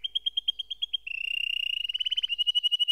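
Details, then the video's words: Canary singing a measured series of short notes that speeds into a rapid purring roll, then slows into clear repeated pips. "Canary SINGING Like a Pro with Proven Tone Techniques!"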